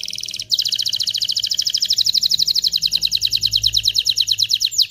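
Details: Canary song to excite the female and the male for mating: a brief buzzy start, then a loud, rapid, even trill of sharp high pulses, repeated many times a second for several seconds.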